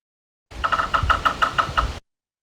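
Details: Yellow-bellied sapsucker, seen mostly in winter in Kentucky, drumming erratically: a quick cluster of three or four wooden taps, then single knocks slowing unevenly toward the end, about nine strikes in all.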